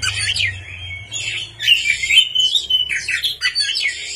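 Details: White-rumped shama singing at night for luring: a continuous stream of mixed whistles, slurred notes and chattering phrases, with a low hum in the first half.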